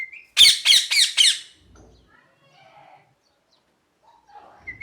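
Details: Parrot giving four loud, harsh screeches in a rapid run, about four per second. Faint softer chatter and squeaks follow, then a short whistle near the end.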